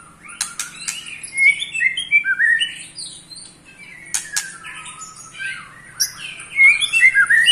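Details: Ketrekan from an eight-month-old white-rumped shama that agitates other shamas: sharp clicks, then a string of varied slurred whistles rising and falling, ending in quick high twittering phrases.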